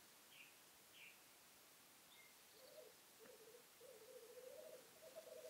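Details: Black grouse at a lek during the 2015 mating season, recorded from a hide: a few high faint chirps from another bird, then a continuous low bubbling, cooing rookoo that rises and swells over the last three seconds.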